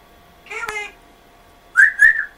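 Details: Pet African grey parrot that speaks in a Yorkshire-accented voice gives a short voice-like harmonic phrase, then two loud whistled notes that rise and then level off, heard indoors.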